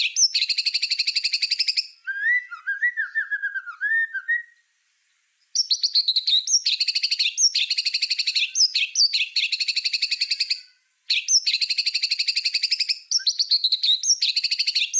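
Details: Master-recording song of a white-rumped shama in 'tembakan' style, meant for tutoring other songbirds: long volleys of rapid, ringing repeated notes separated by brief pauses, with a softer warbled passage of lower twittering notes near the start.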